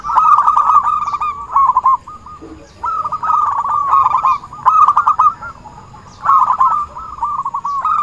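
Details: Zebra dove, a lure sound for trapping: stuttering cooing phrases, about six bursts of rapid rolling notes separated by short gaps, with intermittent clicks and a faint high tonal hum.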